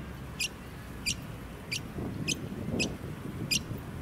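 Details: A Brown honeyeater (Lichmera indistincta) in a suburban area of the Sunshine Coast, Queensland, in May 2018, gives six sharp, very high, bright sweeping notes about every two-thirds of a second over low wind and suburban rumble.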